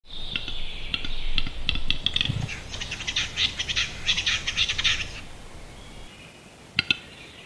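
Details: Western capercaillie male displaying at a lek; opening sharp clicks speeding up, then a dense rush of scraping, grinding notes lasting a few seconds before stopping, followed by a couple of isolated clicks.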